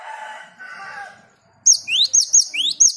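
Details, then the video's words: Cinereous tit (gelatik batu) lure song for prompting 'ngerol': after a stretch of rough lower noise, rising whistles with shrill top notes repeat rapidly to the end. "Masteran & Pancingan burung Gelatik Batu agar cepat bunyi Ngerol"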